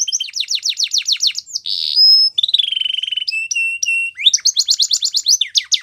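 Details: Canary singing rapid descending chirp trills, a harsh buzzy note, a wavering lower trill and repeated steady whistles, closing with more quick high trills.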